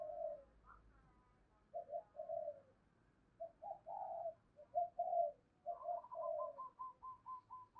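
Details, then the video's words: Spotted doves answering a lure call: distant, quiet coos in irregular phrases, ending with a quick run of short, repeated higher notes over a low murmur of background noise. "Chim cu gáy kích bổi new"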